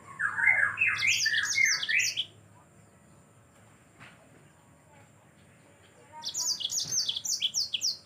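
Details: Energetic yellow-fronted canary song for tutoring birds: two rapid phrases of bright, descending chirps and sweeping high whistles, each about two seconds long, separated by a quiet gap of faint hiss.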